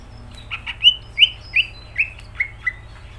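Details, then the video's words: Greater green leafbird singing vigorously: a brisk series of about seven clear, sharply falling whistled notes spaced roughly a third of a second apart, with a few clicks at the start, over a faint hum. "Cucak ijo gacor"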